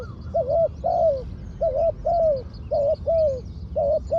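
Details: Trained decoy spotted dove cooing steadily: about seven low hooked coos, each rising then dipping, coming roughly every half second in uneven pairs, with faint low background rumble.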